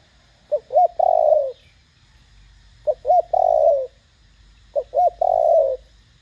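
Spotted dove cooing, a three-part phrase of two short low notes and a long drawn coo, repeated about every two seconds, with faint high background hum.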